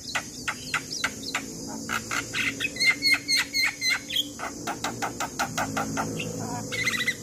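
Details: Gacor Javan myna song meant for training young birds that rarely sing: pulsing run of dry clicks and throaty notes about two per second, interspersed with short whistles, then a final grating chatter.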